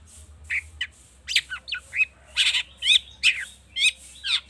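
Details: Long-tailed shrike in an excited state, its song stuffed with borrowed phrases and used to coax other birds to sing: quick sequence of raspy, wavering notes and brief whistled swoops, roughly two per second, uneven in rhythm.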